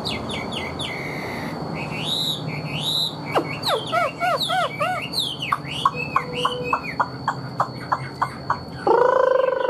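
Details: Chinese hwamei kept as a cage bird, singing loud arched whistles and rapid ringing note series, repeated sharp ticks, and a closing harsh rasping phrase; electrical hum audible.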